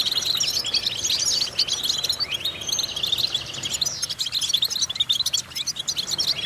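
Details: Training song of a European goldfinch for stimulating goldfinches: busy, high, liquid twitters and chirps, loud and dense for the first few seconds, then thinning into separate, more spaced notes.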